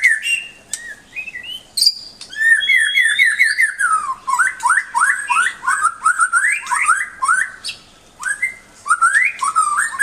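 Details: White-rumped shama song meant as a tutor recording for pet songbirds: loud, varied whistled phrases of quick slurred rising and falling notes mixed with sharp clicks, almost continuous, with short pauses and no other sounds.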